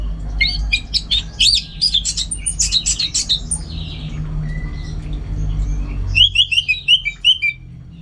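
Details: Orange-headed thrush pouring out energetic song: dense jumble of sharp mimicking-like high notes and stutters, a pause with one thin whistle, then a fresh burst of quick bright repeated chirps.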